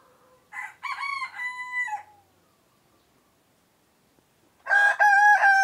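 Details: Crowing male layer chicken: a complete crow of choppy opening syllables and a held, gently falling note, then a pause of about two and a half seconds before a second loud, harmonic crow begins and is cut off.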